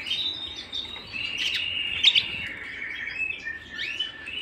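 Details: Canary singing at home: a bright, steady trilled warble held around one pitch, broken by a sharper high chirp near the middle, then continuing as rolling, slightly falling trills.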